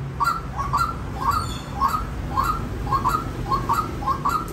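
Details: White-breasted waterhen uttering doubled rising notes, evenly spaced about every half second, against a hissy, humming background.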